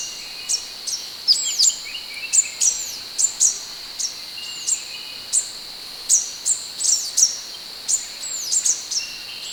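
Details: Scarlet minivet song, recorded as training material for other birds: thin, high, sweeping whistled notes, each a sharp downward slur, repeated roughly every half second over a steady high-pitched hiss of insects.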